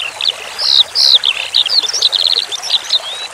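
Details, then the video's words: Branjangan skylark masteran snippet with flowing water: two clear down-slurred whistles, then a quick series of high chirps and a short rapid trill, with gentle water trickle underneath. "Masteran Suara Branjangan Sky Lark"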